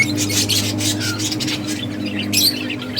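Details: Budgies chirping while playing in a breeding colony: busy, scratchy high twittering in quick pulses, a low steady hum in the background.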